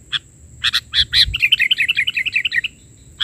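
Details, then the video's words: Sooty-headed bulbul singing an energetic isian (filler) song in the bahari style. A few sharp chirps lead into a fast, bubbling trill of rapid repeated notes lasting over a second, against a faint constant high tone. "Suara isian...burung kutilang gacor versi bahari"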